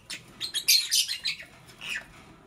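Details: Lovebird chirping in the morning: a run of harsh, high broadband chirps bunched between about half a second and one and a half seconds, then one shorter chirp near the end.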